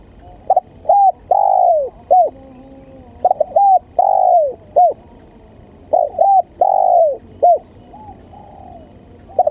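A spotted dove gives mellow, hooting coos in phrases of four or five notes, one long swelling note in the middle, repeated about every three seconds.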